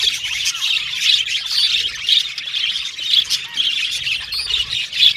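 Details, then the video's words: A flock of budgies giving busy high chatter, with sharper squawking notes standing out about twice a second over the steady background warbling. "Budgies Chirping Sound"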